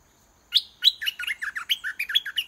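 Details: Caged red-whiskered bulbul used as a decoy, singing to lure a wild bird down to fight: a loud, rapid run of bubbly, slurred whistled notes that rise and fall, about a dozen in two seconds, over a quiet background.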